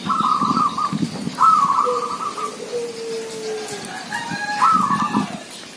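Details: Zebra doves around a village sounding lively together: repeated vibrating coo trills overlapping with a thin, low, drawn-out whistle and a few higher faint notes.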